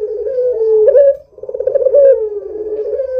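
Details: A Barbary dove, kept as a lure bird to draw other doves into calling, gives two drawn-out coos, each starting with a fluttering, rolled onset and settling into a steady, mellow hooting tone.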